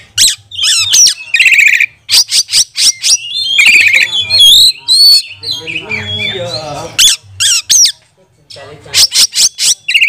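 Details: Oriental magpie-robin singing a provoking lure song for training other magpie-robins: rapid harsh rasping bursts repeated in runs, broken by twisting whistled phrases and mimicked chatter, with a low hum in the background.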